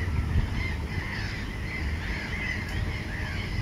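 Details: Mediterranean gulls in a breeding colony on a raft at Sol de Loire, Montjean-sur-Loire, Maine-et-Loire, France, on 3 July 2013, with at least 104 chicks, alongside black-headed gulls and common terns. Several birds give overlapping nasal, mewing mid-pitched calls over heavy low wind rumble.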